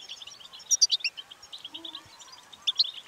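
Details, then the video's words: Goldfinch song used to prompt another bird to sing: bursts of rapid, high twittering chirps and sharp metallic notes, busiest around the middle and again near the end, with faint low sounds in the background. "بتبتة الحسون المميزة في تحفيز على التغريد"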